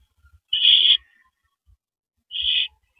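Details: Two noisy, hissing rasps from an owl at its nest, about two seconds apart, during the first mouse delivery of the night on 9 April 2012 around 7:58 PM; soft low taps between them.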